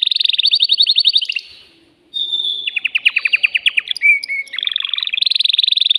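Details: Male canary in a cage singing loudly to stimulate a female for mating: rapid high trills, a brief silence, then a series of pulsed descending notes and a fast rolling trill.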